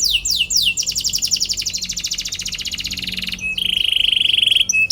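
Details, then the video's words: Canary delivering a long song to provoke rival canaries: a few sweeping chirps lead into an extended fast buzzy trill, followed by a steady, lower, pulsing rattle. "KENARI GACOR PANJANG CUIT CUIT PANCING EMOSI LAWAN BIKIN NYAUT DAN GACOR |° CANARY SINGING"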